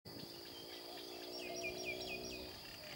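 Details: White-throated kingfisher at a Chiang Mai village, Thailand, on 14 September 2014, gives a quick run of five shrill notes, each dropping in pitch, over a steady high insect drone and low hum.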